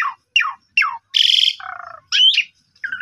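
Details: Lure song of an Asian pied starling, full of varied notes, for coaxing a sulking starling: three descending chips, a loud buzzy rasp, a lower grating note, then a wavering whistle and a short harsh ending.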